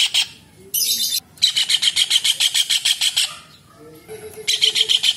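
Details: Kingfisher heard in clear, lively calling: a long, even train of loud, grating notes at about three per second. A short harsh squawk comes before it, and faint softer sounds fill a gap before the series resumes.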